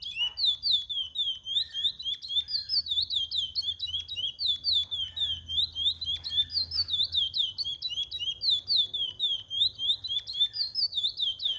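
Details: Chestnut-bellied seed finch (curió) song used to teach young birds: clear, fluting whistled notes, each sliding up or down, strung into a continuous rolling phrase that repeats without pause, with faint low hum underneath.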